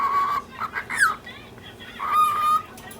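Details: Lutino cockatiel, ten months old, talking while angry at a pestering budgie chasing it through the cage, breaking its chatter with throat-clearing coughs; a steady whistled tone opens and closes the clip, with short harsh bursts between.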